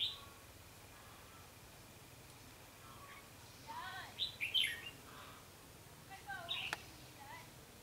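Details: Red-whiskered bulbul kept as a lure bird for trapping, recorded 21 November 2016. Bright, slurred chirps and short whistled notes come in clustered bursts midway and again near the end, over quiet background hiss.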